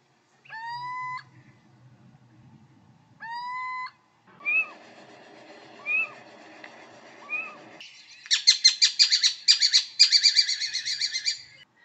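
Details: Little owl in the UK gives two drawn-out, cat-like mewing calls, then a few short yelps and a fast, shrill run of excited yelping notes.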